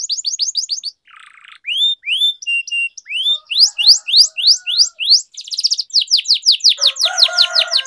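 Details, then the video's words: Canary training song meant to prompt silent canaries and tutor young birds. Quick high notes, a buzzy burst, slower clear whistles, then fast rolling downslurred notes with dense trills. "Canary Singing Training, Kenari Gacor Ngerol Panjang,Pancingan Kenari Macet, Masteran Kenari Paud"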